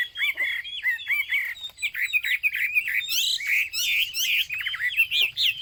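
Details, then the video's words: Chinese hwamei, or wambi, in rich continuous song: rapid varied whistles, slurs and trills that climb higher and grow fuller in the second half. "burung hwamei/wambi Joss suaranya"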